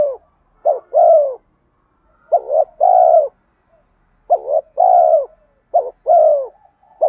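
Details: Spotted dove repeating its provoking lure coo: five phrases over seven seconds, each a clipped double note leading into a drawn-out, softly descending coo, otherwise silent.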